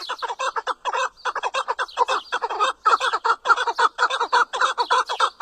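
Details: Chukar partridge giving irregular bursts of harsh clucking notes, some bunched close together and others separated by short gaps, keeping up a chattering rhythm.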